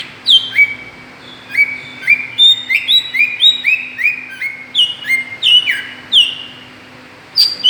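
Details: Lure sound of a greater green leafbird to provoke other birds: a long, lively sequence of paired whistles, high downslurs answered by lower rising notes, tightly repeated.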